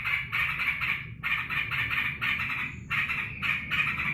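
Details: Yellow-vented bulbul at home, glad its owner is back from work. Steady bubbly chatter in bursts about half a second long, with faint background rumble.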